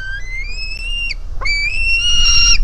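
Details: White-tailed Eagle chick begging for food on its nest: a rising whistled cry that breaks off, followed by a louder, sustained piercing whistle that climbs slightly, with low steady rumble beneath.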